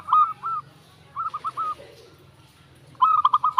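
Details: Zebra dove giving short bursts of clipped, bright cooing notes: a brief phrase, a pause, then a denser run at the end, over a faint low hum.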